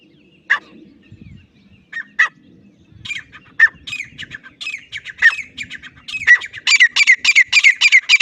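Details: Loud grey francolin voice. It opens with a few isolated harsh notes over a low rumble, then speeds up into a rapid, insistent run of ringing squawks near the end.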